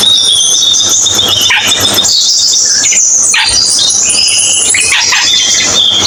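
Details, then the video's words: High, thin whistles and downward-sliding notes from a cucak keling, repeated irregularly against a loud steady hiss. "MP3 BURUNG CUCAK KELING"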